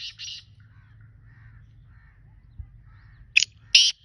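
Black francolin giving harsh, grating bursts: a quick double note at the start, then two more rasping notes near the end, over a faint low hum.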